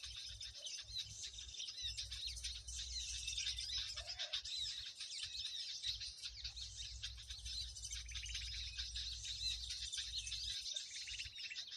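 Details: Noisy mixed birds used as a lure for trapping birds with sticky lime. A dense, continuous high-pitched chatter of many overlapping chirps and twitters, with a low background rumble throughout.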